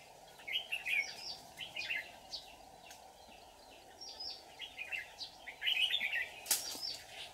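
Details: White-cheeked red-whiskered bulbul acting as a trap decoy, fight-singing on 24 July 2019: scattered chirpy warbled phrases at moderate distance, a louder run near the end, one sharp click, steady hum and hiss underneath.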